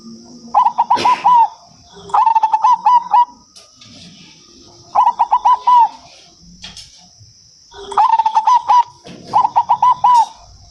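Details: Local zebra dove (perkutut) singing, its song called manggung, used to prompt other zebra doves to answer: five bursts of quick, rolling, stuttered coos about every two seconds, over a steady high thin whine.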